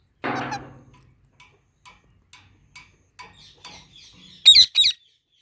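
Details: Parrots feeding on mango: a loud rough burst at the start, faint scattered ticks, then a closing pair of sharp, harsh squawks in quick succession.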